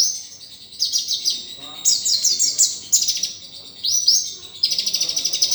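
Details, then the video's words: Sunbird song used to train other songbirds: dense, very high chattering trills in quick pulsed bursts, a short clear whistle near the middle, and a final fast even rattle of tiny notes. "Pancingan/masteran burung Kolibri || konin dacok isian mewah"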